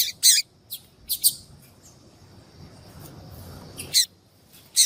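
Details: Female yellow-bellied seedeater calling to attract males; sparse, high, sharp chip notes in pairs separated by quiet gaps.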